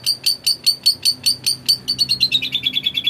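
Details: {'caption': "Long-tailed shrike in lively 'gacor' song meant to draw other shrikes to sing: a fast rattling run of high whistled notes that speeds up and drops slightly in pitch, about five per second by the end."}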